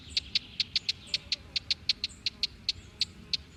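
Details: White-eye chick eating a lot despite its small size. Rapid series of short, piercing high notes, roughly four or five a second, evenly spaced over faint low background noise.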